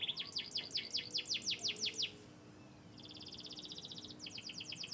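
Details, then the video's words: Canary of Yorkshire descent, bred from Turkish and US lines, chirping: rapid series of high descending notes, then a pause and a fast buzzy rattle-like trill, with faint low background hum. "chirping birds.Canary bird."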